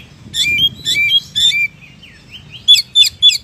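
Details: Oriental magpie-robin song made of harsh buzzy notes ending in clear whistles, three phrases in the first two seconds, softer slurs, then three quick bright notes, each note roughly a third of a second apart.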